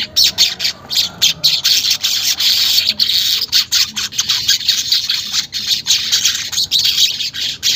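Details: Rhythmic weaver song for getting caged birds to sing: harsh, wheezy, high notes in rapid pulses about four per second, sustained throughout without breaks, recorded unedited.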